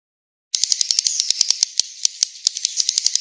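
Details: Swiftlet from Central Sulawesi, a roosting sound: after half a second of silence, a dense train of sharp, dry clicks rattles on, irregularly spaced, several per second, with a faint high hiss between them.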